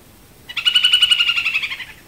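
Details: Snail kite (Rostrhamus sociabilis) in the Brazilian caatinga giving a laughter-like cackle: about fourteen dry, nasal quick notes over a second and a half, trailing slightly lower.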